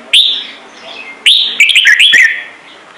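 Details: Red-whiskered bulbul producing a bright opening whistle, then after a pause a fast chain of five or six bubbling, up-and-down whistled notes.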